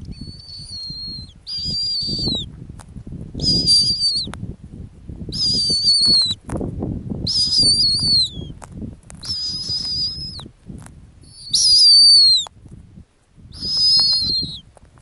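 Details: Female snowy owl on its ground nest in the Arctic gives high, thin whistled notes that sag and fall at the end, repeated roughly every two seconds, about seven in all, over a low rumbling background.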